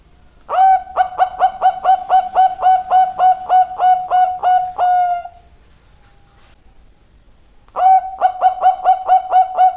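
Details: Highly vocal zebra dove (perkutut) song: a fast series of mellow, even coo notes, about four per second, ending in a longer drawn note, then after a pause a second series begins.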